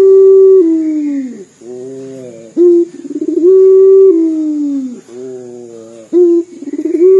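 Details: Dor-style coo of a local Barbary dove that sings often, said to resemble crying: loud drawn-out low tones bending downward, soft murmurs between, and short rising notes, repeated about every three seconds.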